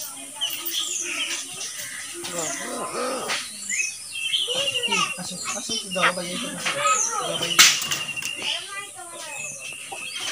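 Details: One of two talking common hill mynas, able to say various phrases, in speech-like imitation; rapid chattering syllables with swooping whistled chirps and clicks, a sharp high whistle near the eighth second, continuous over ten seconds.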